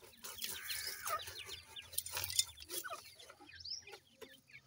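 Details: Grey francolin chicks (irani teetar) utter thin, downward-sweeping chirps amid loud rustles and clicks. The peeping thins out toward the end over a soft low drone.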